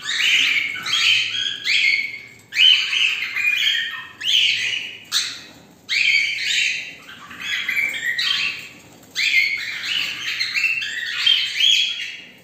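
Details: Several cockatiels call together at the start of the day in a group chorus of harsh, screechy bursts and chirps that overlap and repeat.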